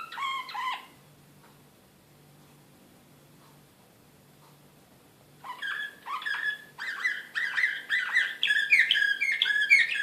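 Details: Serbian Slavujar canary, excited, recorded in Belgrade in 2016: a short chirp burst, several seconds of near silence with low hum, then rising, increasingly loud rapid chattering trills and bright whistles.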